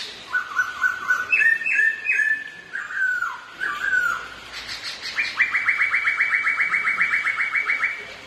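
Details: Two kept Black-throated laughingthrushes in a singing contest with dancing: stepped whistled phrases sliding down, then a fast even trill of rapid repeated notes held for about three seconds.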